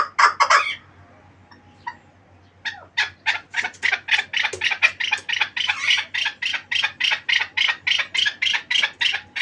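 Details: Chukar partridge from the Pamirs: a loud opening burst, a short pause with faint notes, then a steady rolling series of harsh, raspy chuk calls repeated roughly three to four times a second.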